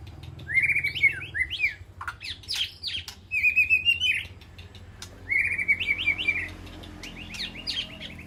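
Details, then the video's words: White-rumped shama in an aviary calling to its flock: bursts of rich whistled phrases with quick rising and falling notes and trills, repeated in groups with short pauses between. "Sound of White-rumped Shama Call to Flock"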